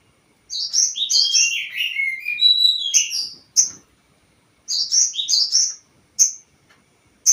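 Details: Crested jay calling, played as a lure to stir up other birds. Bright, rapid phrases of high chirps slide downward, then a sharp single note. After a pause comes a repeated burst of quick rolling chirps and two more isolated sharp notes.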